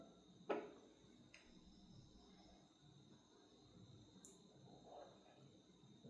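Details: A quiet indoor room with low background hum, one sharp click near the start, and a faint brief high tone later, with no animal sounds.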